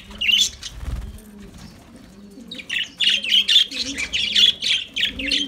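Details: Lovebirds singing: sharp, high chirps and squeaky twitters in quick bursts, roughly four per second. The chatter is dense during the last half, with a brief quieter pause in between. Low steady humming tones run underneath.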